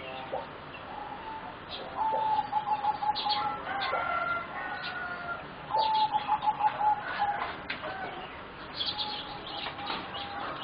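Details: Competition singing zebra doves, four youngsters aged roughly 3.5 to 4 months, deliver two bursts of quick bubbling trilled coos about four seconds apart, amid scattered high chirps and twitters from other birds.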